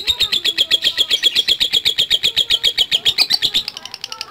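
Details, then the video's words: Lovebird ngekek trill of rapid, regular high pulses for about three and a half seconds, rising slightly before breaking off into softer scattered notes at the end. "Love Bird Langsung Ngekek | Latah Dan Ngekek Panjang"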